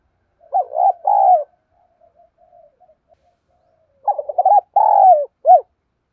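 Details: Caged decoy spotted dove cooing to lure wild rival doves; two low, mellow phrases separated by faint soft murmuring, the second broken into stuttering notes and ending with an extra short clipped coo.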